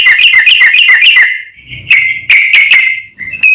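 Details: Rapid ringing series of bright clipped notes from a sooty-headed bulbul in full, fast song meant to excite other bulbuls, then separate sharp whistled notes after a short lull with faint low rumbling.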